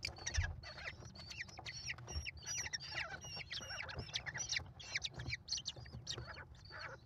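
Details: Nest-cam sound of five hungry American kestrel chicks fed by the mother on 28 May 2021: dense, continuous chorus of thin shrill squeaks and down-slurred squeals, with some low thumps.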